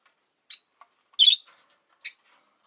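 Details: Rosy-faced lovebirds, five birds in a cage beside a window in Japan, calling regardless of winter: three brief, shrill, high chirps spaced about half a second to a second apart, with tiny faint squeaks between.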